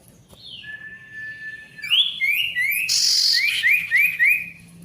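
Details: Song of an Ashy tailorbird, played to restart silent tailorbirds: a long steady whistle, then a run of quick rising upslurred notes repeated about four times a second, with a loud buzzy burst in the middle.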